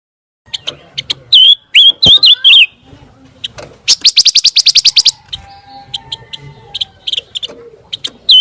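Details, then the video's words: Scarlet minivet song meant for teaching oriental magpie-robins: a few wavy whistles and sharp chips, then a fast rattling series of about a dozen high buzzy notes, soft twittering between, and another whistle at the end. "PANCINGAN SUARA BURUNG PANCAWARNA"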